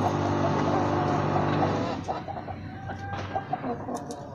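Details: Brooding Aseel hen, a pure-breed chicken kept in a rooftop cage, at lunch time: a steady low engine-like hum fills the first two seconds, then short soft clucks follow in quick, fairly regular succession.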